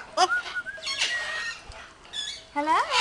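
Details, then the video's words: Yellow-naped amazon parrot talking: short, harmonic, speech-like chattering phrases with rising and falling glides, ending in a nasal upward sweep. "Yellow-Naped Amazon Parrots Talking"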